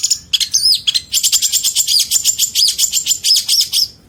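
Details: Long-tailed shrike (cendet) song from 2022 training material with rich mimicked fill phrases. A dense run of high, rapid chirps and short twittering notes follows a brief warbled opening, with quick varied syllables pulsing about four times a second.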